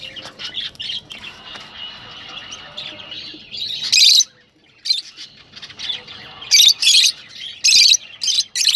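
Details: Rosellas calling to spur breeding: a low, steady twittering murmur, then loud harsh buzzy bursts and sharp squeaky chips in quick clusters.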